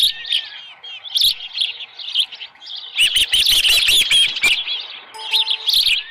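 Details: Osprey at the nest at 6:52 in the morning on July 24, 2018, with a headless fish: bursts of shrill, slurred whistled chirps, with a dense, loud flurry midway and clattering noises.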